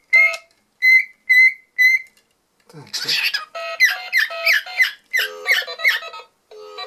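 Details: Pet cockatiel indoors, recorded February 2019, answering a child's phone: four steady electronic beeps first, then the bird replies with a rapid run of bright, warbled, up-and-down chirping whistles, with a short pause before a final chirp.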